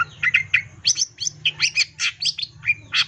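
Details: Long-tailed shrike in vigorous "gacor full isian" song packed with varied phrases, used as a lure to make other shrikes sing: rapid, varied chirps, squeaks and slurred notes, closely spaced, over a faint low hum.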